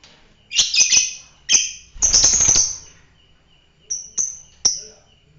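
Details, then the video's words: Fighter lovebird giving shrill, harsh high chirps: a quick cluster of three, a single burst, a longer raspy chattering phrase, then three sharp separate chips after a pause. "fighter lovebird"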